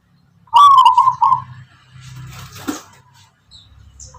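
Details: Local zebra dove of the Tangguh Tuban type, whose rhythmic, melodic song is said to be distinctive. One burst of quavering, trilled cooing notes lasts about a second, then fades into faint low rumbling.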